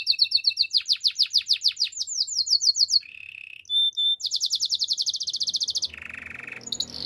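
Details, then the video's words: Belgian canary in morning song, alternating quick high trills and falling sweeps with short buzzy rattles, a pair of pure whistles, and a lower grating trill near the end. "Belgian canary singing in the morning"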